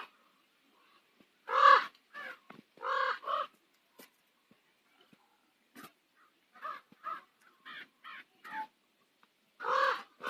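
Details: Common ravens on Nose Hill, Calgary, at sunset give hoarse, throaty croaks, a few loud ones at the start and end, with a run of softer, quicker croaks between, in otherwise quiet surroundings.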